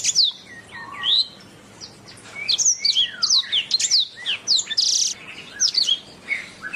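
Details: Canary masteran song for songbird training. It begins softly with a lower whistled note, then builds into dense, high, sweeping whistles, a buzzy burst, and lively chirped phrases.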